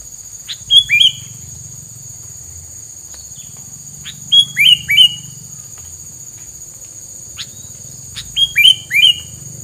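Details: Bird song repeated in three phrases several seconds apart, each a high level whistle then two or three rising slurred notes, with occasional clicks and a steady high whine throughout.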